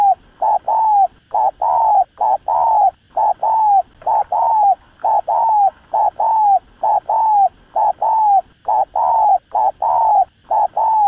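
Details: Fast, insistent 'thúc gù' cooing of a spotted dove for stimulating decoy birds in trapping: a steady, almost unbroken string of short low coos, roughly two per second, each bending down at the end.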